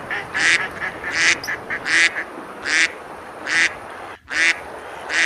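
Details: Several ducks on a river at Besalú, Spain, quacking while eating and splashing in summer; loud harsh quacks repeat roughly every 0.8 seconds, interleaved with quieter short calls and a brief dropout near the end.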